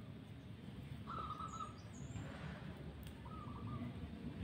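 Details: A wild zebra dove, one of two birds high in a tall mango tree on a cloudy morning during luring, gives two short bursts of soft, stuttering, rapid coos separated by a pause, over a low rumble with a faint chirp from another bird.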